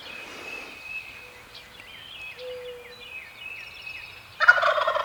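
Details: Tom turkey on the roost in Maryland public woodland, heard during a hunt; high whistled birdsong first, then an abrupt, loud, rolling gobble breaks in at the end.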